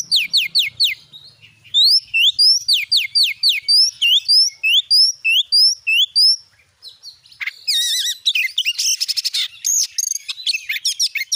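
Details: Oriental magpie-robin in loud, continuous 'gacor nembak' song, used as a lure to provoke other magpie-robins to sing: rapid falling whistled strokes, then upslurred whistles, then dense scratchy rattles and buzzy bursts mixed with sharp high notes.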